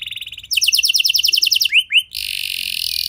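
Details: Canary lure song meant to prompt other canaries to sing: a soft trill, then a louder run of quick falling notes, two upward-swooping chirps, and a steady harsh buzzy rattle.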